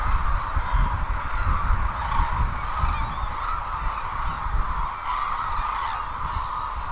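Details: Cranes gathered at the Izumi wintering grounds in Kagoshima Prefecture, Japan: a dense chorus of overlapping honking, trumpeting calls from many birds, with steady low wind rumble beneath.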